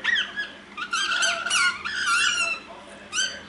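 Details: Pet ringneck parrots indoors at nap time, chatting to each other: a jumble of squeaky, scratchy chatter and bent, wavering notes in short bursts, with a brief pause before a final squawk.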